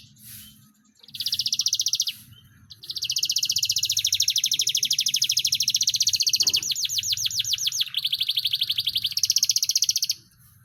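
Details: Canary song used as a tutor recording for training a shrike: a long, loud, continuous chattering trill with rapid repeated buzzy notes and fast rattles, varying in speed.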